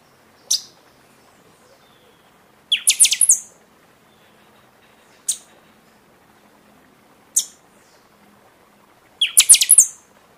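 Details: Buffy-fronted seedeater singing often during the season, used to stimulate other birds after moulting: isolated sharp, high notes spaced a couple of seconds apart, with two bursts of five or six quick, ringing notes in a quiet setting.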